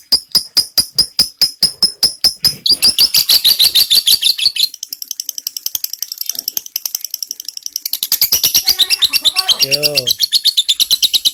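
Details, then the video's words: Lovebird long ngekek trill for shama tutoring; high rapid chattering notes run continuously, shifting in tone midway, with a brief lower harmonic sound near the end. "LOVEBIRD NGEKEK PANJANG"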